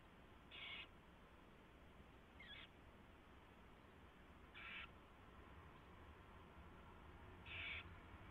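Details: Owl in its nest while a mouse is brought in and fed, 4:21 AM on 24 February 2016: four harsh, noisy screeching bursts, each under half a second, a couple of seconds apart, over faint steady hum.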